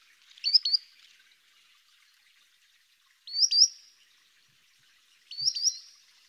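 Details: A Solitary Sandpiper, a spring migrant shorebird in Missouri wetlands, gives three bursts of high, thin, sharp whistled notes, two or three quick notes each, about every two and a half seconds.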